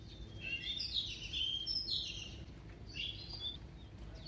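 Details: Female decoy Oriental magpie-robin singing in a double voice to excite males, heard fainter and farther off: scratchy whistled phrases in two bursts over steady background hiss.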